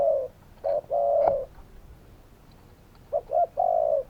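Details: Spotted doves calling: low mellow coos, each phrase a short note or two followed by a longer drawn-out, slightly falling coo, with a quiet gap between phrases.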